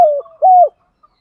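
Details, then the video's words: Spotted dove 'thúc gù' cooing used to call in wild doves: a long level coo falling at its end, then a second hollow coo curving downward. "Tiếng chim cu gáy THÚC GÙ bài bản giúp bổi nhanh nổi/ bổi nghe xiêng gáy cả ngày"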